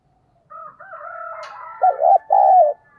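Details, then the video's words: Decoy spotted dove, đồng pha voice with thúc and gáy gọi calling: a thin, higher drawn-out tone first, then two loud, low, rounded coos at the end. "tiếng chim cu gáy mồi chuẩn cực hay giọng đồng pha thúc & gáy gọi"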